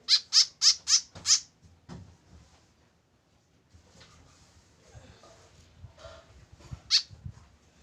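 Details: Tame white-breasted woodswallow kept alone without a companion: a fast burst of five harsh, nasal, high-pitched calls, then quiet with faint indoor rustling and knocks before one more sharp call near the end.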